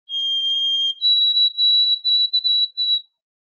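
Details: White-throated sparrow song, likened to 'oh sweet canada canada canada', expected by next or very early spring: a long pure whistled opening note, then a higher steady whistle broken into quick repeated triplet-like pulses.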